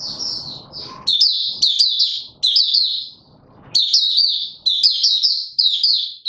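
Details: High, rapid twittering song from a male white-eye being brought into form, recorded 31 December 2021, repeated phrases of downslurred whistled notes in steady bursts after an opening of rustle.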